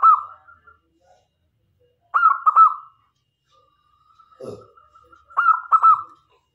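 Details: Zebra dove of local stock used to attract wild males and females: clear, bubbling coo phrases ending in a sustained note, repeated every few seconds, with a soft dull thump between them.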